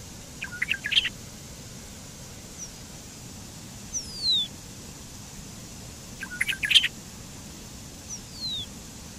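Bobolink song: two bubbly, tinkling bursts of jumbled metallic notes about six seconds apart, with thin, high, down-slurred whistles between them over a soft hiss.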